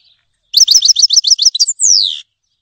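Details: Loud, rapid trill of about a dozen repeated chirps from a Grey-headed goldfinch, finishing with a long whistled note that slides down in pitch.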